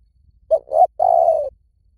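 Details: Spotted dove, recorded as a lure to pull birds in from the forest: a three-note phrase of two short low coos and a drawn-out third note, clean with no other sounds.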